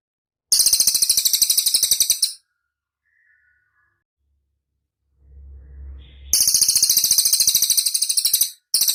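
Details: Pygmy tit (cililin) song from a training recording for songbirds to copy; two bursts of fast, high, sizzling trills separated by several seconds of near silence with a faint low hum before the second burst.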